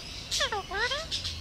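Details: Hand-raised Alexandrine parakeet kept as a pet, repeating a talking phrase: two short harmonic syllables falling in pitch, then a longer rising one, like a chatty 'hello', over low background hum.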